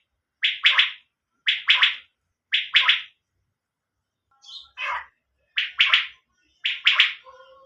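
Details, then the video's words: Quail giving a repeated three-note call, each triplet of short raspy bursts spaced about a second apart, with one softer odd note midway and a faint low tone near the end. "Batair sound nice sound"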